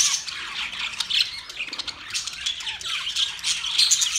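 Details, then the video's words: Budgerigar song tied to mating: continuous squeaky chatter with sharp high squawks and quick whistled slurs, several birds overlapping. "Budgies Parakeet Singing | Budgies mating | Budgies birds chirping sound"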